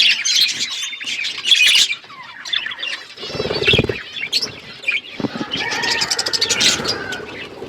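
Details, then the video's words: Outdoor aviary flock of budgerigars: busy high chatter, a brief rustling flutter of wings midway, then more scratchy warbling chirps from many birds at once. "Budgies flocks in outdoor aviary budgies colour budgies chirping sounds"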